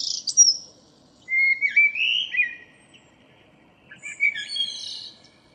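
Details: Local common blackbird, morning of 2 April 2013: a high squeak, a rolling fluty warble, silence, then a squeaky high twittering flourish.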